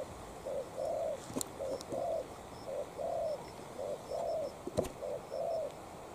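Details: Spotted dove decoy dueling a wild dove: low throaty coos in short-long pairs, about one pair per second, with a few sharp clicks and faint high chirps in the background.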